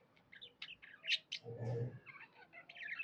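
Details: Happy pet budgerigar giving scattered sharp chirps and a soft warble, interrupted midway by a low rumbling noise.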